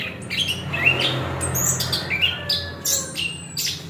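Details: Chestnut-capped thrush song of squeaky, sharply rising and falling notes at varied pitch, several short phrases in under four seconds, over a steady low hum.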